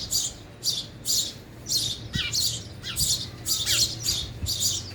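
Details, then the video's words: Sparrows eating at a feeder give harsh, squawky chirps in quick succession, some with a falling tail, plus a few light tapping sounds. "sparrow sound effect | ચકલી ઘર | chaklino avaj"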